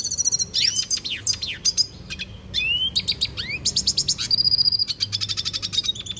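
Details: Venezuelan goldfinch in full song, mixing steep rising slurred whistles with rapid dry trills and a sustained high buzzy note, delivered quickly with little pause.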